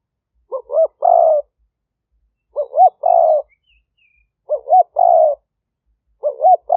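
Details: Wild-dove lure call of a spotted dove from a trapping camp in Roi Et, Thailand: four steady phrases of two short rising notes plus a longer rolling coo, spaced about every two seconds, with a faint high chirp between.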